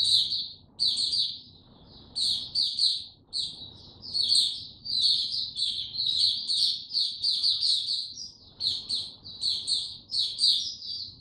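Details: On 29 April 2022 a caged white-eye given no supplements sings in clustered high chirps and twittering phrases separated by short gaps, with low background rumble throughout.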